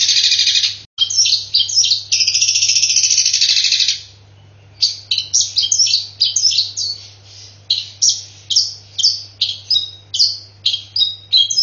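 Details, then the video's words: Long-tailed shrike imitating fighting tree sparrows. An extended harsh buzz is followed after a pause by a long series of crisp, irregular chirps repeated for several seconds. A steady low hum sounds beneath. "CENDET EDAAAAN ..!!! isian kok hanya gereja tarung"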